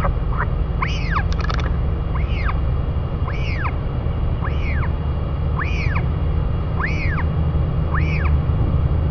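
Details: During chick feeding by two royal albatross parents in New Zealand, clear arched rising-falling notes repeat steadily about every 1.1 seconds, seven in a row, with a brief clatter near the start and constant wind rumble.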